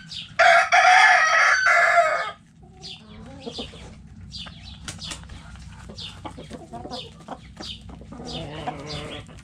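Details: Backyard chickens in a coop: a loud harmonic rooster crow lasting about two seconds opens, then hens keep up soft, irregular clucks and brief chirpy notes.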